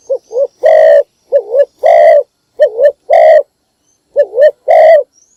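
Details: Spotted dove morning call used to attract other birds: loud, clipped coos in repeated phrases of two short wavering notes followed by one longer, stronger coo, about three phrases in five seconds, with a faint distant twitter.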